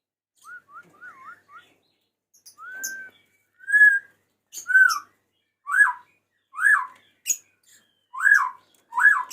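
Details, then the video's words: White-rumped shama male calling to a female, singing clear whistled phrases: soft wavy whistles first, then a steady series of loud rising-and-falling whistled notes repeated roughly once a second, with faint high clicks between them. "SUARA KICAU BURUNG MURAI BATU JANTAN MEMANGGIL BETINA"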